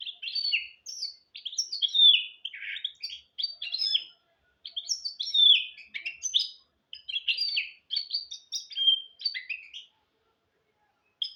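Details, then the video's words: A goldfinch × canary mule sings continuously, a tutor song for goldfinches and canaries: lively, varied high twitters, slurred whistles and chirps in bursts of about a second with brief gaps. "تغريد طائر الهجين الميستو حفاضة ودانية لتعليم طيور الحسون والكناري بدون أخطاء"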